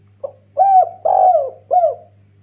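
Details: Spotted dove, a strongly calling bird kept as a lure to provoke other doves, giving a clear cooing phrase: a short soft lead note, then three longer mellow hooting coos, the middle one longest, against a quiet background with a low steady hum.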